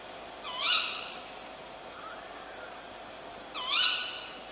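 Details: Archival October 1951 tape of a caged tawny owl in an institute garden with a free-flying bird joining in: two strident, rising-falling calls three seconds apart and a faint softer note between them, over constant machine hiss.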